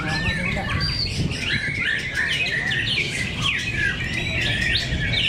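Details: Murai batu, the white-rumped shama, competing in a heated fight contest at Cibinong. Rich bright whistles and quick down-slurred notes pour out without pause, several phrases overlapping, with constant low hum and faint voices behind.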